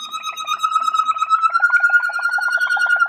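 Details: Malinois Waterslager canary singing on a song CD: a steady, clear whistled tone held throughout, rising slightly, with rapid low bubbling pulses underneath, about three per second, and faint harmonics above.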